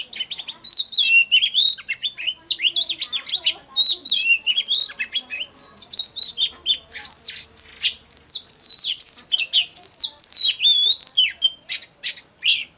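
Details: Oriental magpie-robin song played to lure and spur singing: long, fast stream of varied whistles, trills and sharp chips, continuous and loud throughout.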